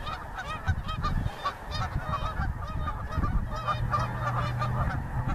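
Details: Geese flying over the Missouri, a flock honking in rapid, overlapping nasal calls, several per second, with layered harmonics, over a constant deep rumble.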